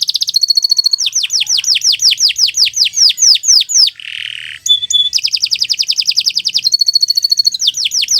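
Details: Canary song: fast runs of rising, whistled sweeps and rapid trills repeated several times a second, broken by a short buzzy rattle and a pure high note before the trilling runs resume, loud and unbroken.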